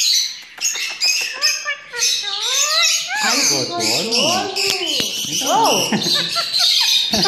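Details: Captive Indian ringneck parakeet, a pet bird, talking: speech-like phrases with gliding, wavering tones mixed with harsh squawks and high chatter from other birds in the background.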